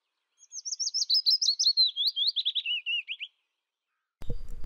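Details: A single full song phrase of the willow warbler: about twenty soft, sweet whistles drifting steadily downward in pitch, fading at the end, then silence and a brief low noise.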